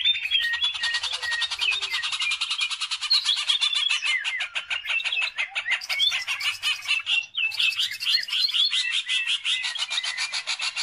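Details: Greater green leafbird in full, active song, offered as a lure recording to stir other birds to sing; a dense, continuous stream of rapid warbling, chattering trills and sharp whistled notes, with a brief break near seven seconds before resuming.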